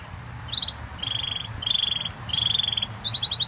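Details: Caged canary singing: bursts of rapid trilled notes around a steady high pitch, each phrase lasting about half a second with short gaps, some phrases shifting to higher buzzy rolls; faint low hum underneath.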